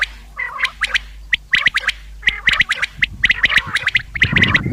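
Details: Common quail calling; a fast series of sharp, clipped chirps and clicks with a bright ringing tone, in irregular clusters, plus some lower rough notes near the start and end.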